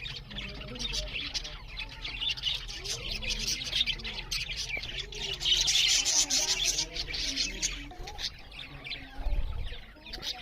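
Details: Loud chirping from budgerigars while they eat, an unbroken torrent of fast, overlapping high warbles and chatter that swells louder in the middle, with a low thump near the end.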